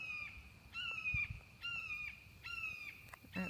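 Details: A Red-shouldered Hawk, one of many around a rural property, calls while flying overhead near a garden in summer: loud, clear kee-ah screams, each half a second and slightly falling, repeated about every second, over a low outdoor rumble.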